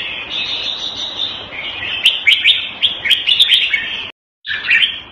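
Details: Caged red-whiskered bulbul in Singapore, kept Thai style, February 2018: a soft high warble rises into a rapid series of crisp chirping notes, broken by a brief dropout, then resumes.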